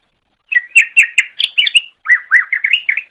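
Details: Cucak ijo song for training songbirds: a rapid series of rich whistled chirps, then a short pause and a second rolling run of warbled, slurred notes.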